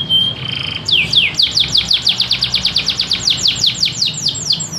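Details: Canary in full energetic song in the gacor style, with cengkok phrasing. A short whistled opening gives way to a loud, rapid roll of sharply descending sweeps, about eight a second, steady and continuous.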